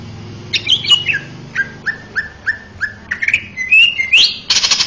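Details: A male greater green leafbird in full master song for young birds: a few sharp whistles, then evenly repeated falling chirps, then rising slurred whistles, ending in a broad hissing burst.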